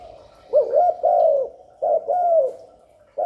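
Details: Spotted dove giving its coo to draw wild doves to the decoy and excite newly caged birds: two soft, throaty, rolling coo phrases, each with a short note and a longer falling one.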